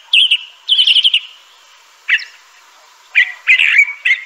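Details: Separate song phrases from a Crissal thrasher: a bright warbled note, a buzzy trill, a lone sharp chip after a pause, then a rich slurred phrase ending in a steady whistle.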